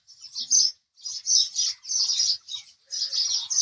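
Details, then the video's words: House sparrow chirps come in five or six distinct bursts of high, rasping notes separated by short quiet gaps. "house Sparrow Chirping Sound"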